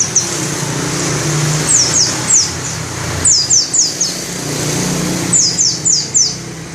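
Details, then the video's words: White-eye (pleci) calling: bursts of three or four sharp, high, down-slurred whistles repeated several times, against steady low rumbling noise. "Burung pleci dakun ngalas ngerol buka paruh volume semelit"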